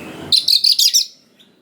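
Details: Brief burst from a singing Oriental magpie-robin, meant to stir young wild birds to respond: about five quick, loud, buzzy high notes in a tight run, then a faint whistle.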